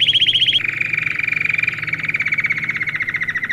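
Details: Domestic canary song played to train young birds: a bright rolling trill holds steady, then drops after half a second to a slightly lower, rapid pulsed trill that runs on evenly, over a faint low hum.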